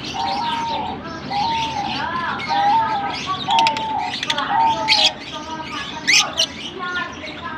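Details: Lovebirds singing: continuous twittering chatter of squeaky chirps, short tonal whistles and sharp high squeals rising above a busy background, several birds overlapping throughout.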